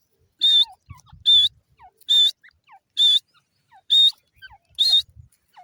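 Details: A desi (local Pakistani) francolin (teetar) gives loud, harsh, ringing notes, repeated about once a second. Faint soft chirps and low thumps sound between them.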